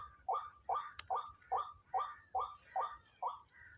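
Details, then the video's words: White-breasted waterhens, many present on a Sunday morning at Kepasar, calling during nyanggong: a rapid series of short rising notes repeated about every half second, steady and even, with a constant high hiss behind. "NYANGGONG BURUNG RUAK RUAKNYA BANYAK SAAT PAGI HARI MINGGU DI KEPASAR"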